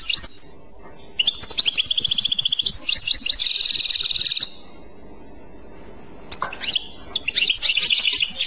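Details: European goldfinch in Clochette song style, two lively phrases of high, rapid twittering and buzzy trills with a quiet gap of about two seconds between them.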